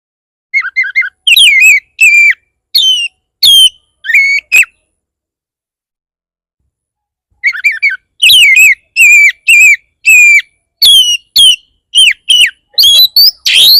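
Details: Oriental magpie-robin song played as a lure to make other magpie-robins answer and start singing: loud, rich whistled notes in quick bursts, some sliding down, others rising, a three-second silent gap midway, then a denser, faster run of phrases.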